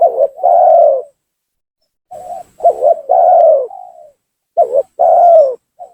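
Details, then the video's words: Lure call of a spotted dove for attracting and angering rival doves in bird trapping: deep mellow coos in phrases, a stuttering pair of short notes leading into a drawn-out coo, with a quiet fading tail. "suara pancingan gacor tekukur memaksa menurunkan lawan,bikin emosi lawan."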